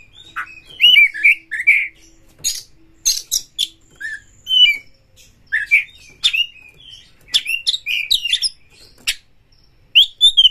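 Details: Oriental magpie-robin lure song for stirring other birds' emotion. Sharp clicks, squeaky chirps and short harsh rasps are interspersed with brief slurred whistles in an irregular, busy stream of notes.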